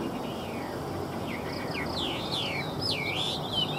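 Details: Chinese hwamei singing a brief passage of clear whistled notes that swoop down and loop up, growing stronger toward the close, over low steady noise.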